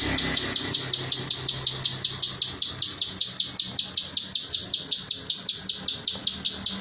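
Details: Plain prinia delivering a tight, rapid-fire song: a long, even run of sharp high notes, about two or three per second, over a low droning hum.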